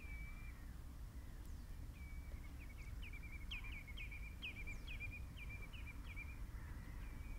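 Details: Common redshank at Marshside RSPB Reserve, Lancashire, 24 April 2011: a long drawn whistle, then a rhythmic series of clear, yodelling notes that each rise and dip, repeated roughly twice a second, over faint wind noise.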